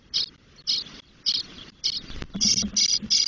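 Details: Ten-day-old spotless starling chicks begging in a nest in Doñana National Park, Spain, with visible flight-feather quills, as the female brings food. Harsh, hissing raspy bursts repeat about every half second, then run together into a denser chorus near the end.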